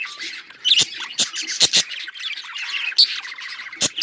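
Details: Budgerigars giving harsh squawks and buzzy chirps, a few louder bursts standing out over quieter chatter, with sharp clicks between calls.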